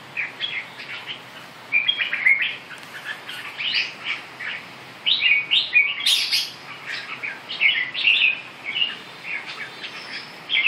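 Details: Red-whiskered bulbul song, a busy stream of bright chirped and whistled notes in quick phrases, some sharper upswept notes, continuing almost without break against faint background hiss.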